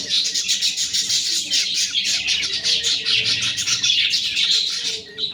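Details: Budgerigars with young keep up a steady high-pitched twittering of quick chirps and short warbled notes, dense and unbroken, with a faint low hum beneath.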